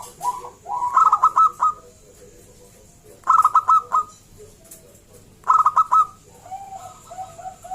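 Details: Loud local zebra dove song intended to trigger other zebra doves' singing. Three phrases open with a rising coo and a rattling stutter of notes. A softer repeated cooing trails off at the end.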